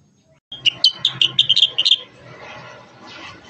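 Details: Sooty-headed bulbul (kutilang sutra) singing a lure recording for other bulbuls; a brief burst of about nine quick, sharp, high notes, then fading into broad background noise.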